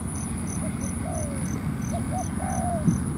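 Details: Spotted dove calling at a ground decoy trap meant to provoke a wild dove into fighting: two soft coo phrases ending in drawn-out falling notes, under a regular high insect pulse and low-frequency noise.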